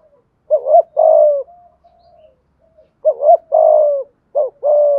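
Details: Spotted dove giving a thúc gù cooing style meant to provoke decoy birds: two groups of short, hollow low coos, each a clipped note followed by a longer, slightly falling one, with a soft trailing murmur between groups.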